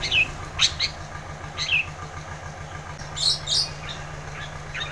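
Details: Long-tailed shrike singing hotly as a lure for a shrike reluctant to sing; a few sharp, high slurred notes come in loose bursts separated by gaps, with a constant low hum throughout.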